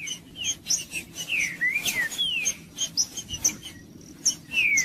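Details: Green-winged saltator song meant to warm up a cold bird: scattered whistled slurs, some falling and some rising, separated by short gaps, over faint high chirps and low background noise.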